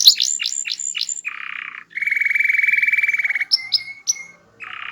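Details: Small-bodied canary with a loud, sweet, varied song, singing actively: quick descending whistles, a short buzzy burst, a long steady rolling trill, sharp chips, and another buzz at the end.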